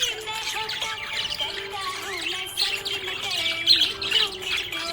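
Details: Happy budgerigar chattering in quick, uneven high chirps and short squawks, roughly three per second, growing louder toward the end, with music playing underneath.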